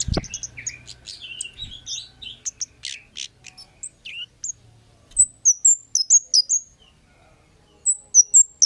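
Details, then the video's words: Kemade calling as a lure: a busy opening of mixed twittering and lower chirps, a dull thump, then clean bursts of piercing high downslurred chirps repeated in quick groups. "Suara Burung Cit Kemade GACOR--Pancingan Cit Keres Bahan Pasti NYAUT GACOR"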